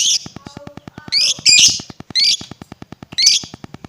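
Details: Lovebird calls for provoking other lovebirds: several harsh, rasping high squawks in short bursts, mixed with faint tonal beeps and a steady rhythmic ticking.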